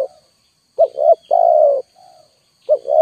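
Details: Lure-call cooing of a spotted dove: a short double note and a sustained coo, a soft quiet note, then the next phrase starting, with a faint high whine behind.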